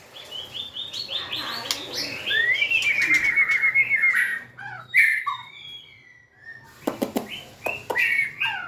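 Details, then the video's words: Singing White-rumped shama that dances and wags its tail, 2024: a run of rapid rising chirps leads into a sustained pure whistle. Short fluty notes, a pause, then sharp clicks and further whistled phrases follow. "Big Sound Birds Singing Chirping"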